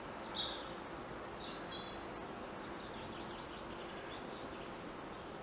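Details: European robin singing high in a treetop: a few thin, high sliding whistles and bright twittering notes early on, fading into quieter phrases amid continuous background noise.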